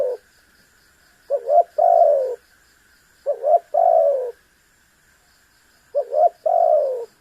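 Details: Tekukur, the spotted dove, giving a calling series meant to make an opponent sing: three phrases, each a quick two-part note leading into a sustained falling coo, roughly two seconds apart.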